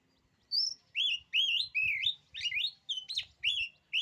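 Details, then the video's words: Oriental magpie-robin singing a steady sequence of loud, slurred whistled phrases, each rising then dipping, with faint low knocking sounds underneath. "kicauan kacer ini"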